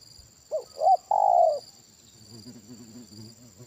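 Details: Spotted dove of the big-voiced 'kuk satu' style, heard at a trapping session using a decoy bird: one phrase of two quick coos and a long falling coo, followed by soft low warbling murmurs and a thin high buzz.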